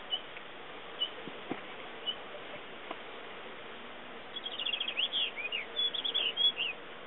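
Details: Ring ouzel on Monte Avaro, Bergamo province, Italy, 4 July 2010: a few isolated high notes, then midway a rapid run of short, bright chirping notes that continues to the end over steady background hiss.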